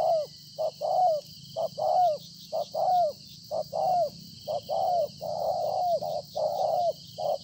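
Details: Spotted dove, wild-caught and a good cooer, recorded 26 September 2020: a steady run of low coo phrases, paired short notes leading to longer falling coos, repeated about once a second, with a soft high hiss behind.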